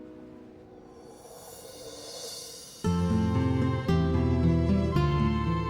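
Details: Soft ambient tones swell into gentle instrumental music with steady sustained notes and no animal calls.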